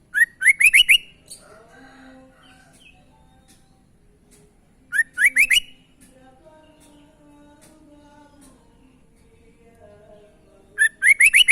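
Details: Sooty-headed bulbul in full song, giving unusual sounds: three bouts of rapid, bright, rising whistled notes, each bout about six notes in a second, separated by about four seconds of near silence with faint low tones.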